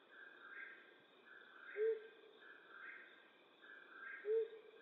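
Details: In western North America at night, a flammulated owl gives two short, low hoots about two and a half seconds apart against a repeating higher buzzy pulsing background and faint steady hum.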